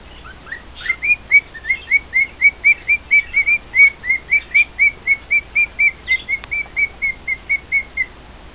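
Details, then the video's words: Male cockatiel singing to two housemate cockatiels: a long, even chain of loud whistled notes, about four per second, each note slightly rising, with faint clicks in the background. "Maui's Serenade"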